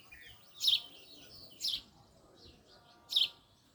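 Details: A male Indian sparrow gives three loud, bright chirps about a second apart, with softer chattering chirps from other sparrows in between.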